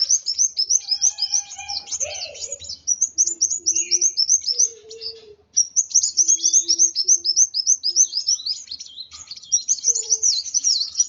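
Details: Highly agitated sunbird, called kolibri wulung, sings a nearly continuous, fast jumble of very high, sharp chirps with one brief pause, while fainter lower whistles and a soft low coo sound in the background.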